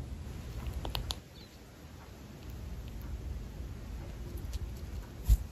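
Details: Java sparrow; chewing sound; eating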